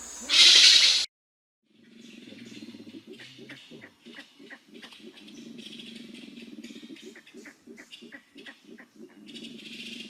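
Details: Grey-winged Trumpeter in the Suriname/French Guiana region giving its normal flock contact call, which keeps individuals together: low, rapidly pulsing humming notes in a steady stream, after a brief loud burst of noise at the start.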